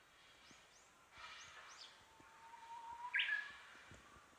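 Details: Japanese bush warbler singing in spring near a home: a long, steady, low whistle swelling slightly, then a sudden bright, clipped flourish; other small birds give faint arched, high chirps beforehand.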